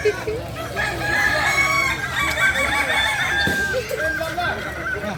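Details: Native Kukuak Balenggek fowl from Solok, West Sumatra, crowing together. Stretched, harmonic-rich crow phrases overlap with short clucks in a crowded chorus, with steady background noise throughout.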